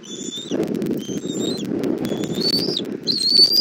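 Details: Bald eagle nest in Southwest Florida at 17:30 on 1 April 2024, mother arriving with food for the chick: several thin, high whistled notes, some sliding upward, over steady low rumbling noise.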